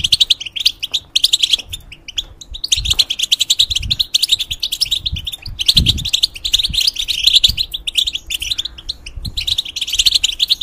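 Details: Molting European goldfinch in a cage, used as a song tutor for hybrids, pours out fast chattering, tinkling phrases in several long bursts separated by brief silences; soft knocks below.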